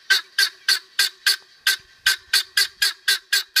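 Guineafowl give a rapid run of harsh, grating, metallic calls, about thirteen in under four seconds, evenly spaced and loud.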